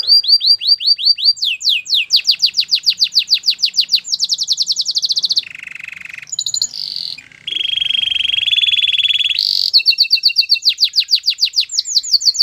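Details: Canary singing a training song: fast repeated whistled sweeps, a dense high rattling roll, then low buzzy trills and a steady churring tour before rapid sweeps return.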